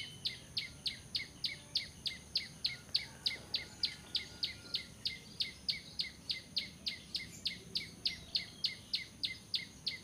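Bar-winged prinia giving sharp, high chipping notes about three times a second in a steady run, over a faint high insect hum.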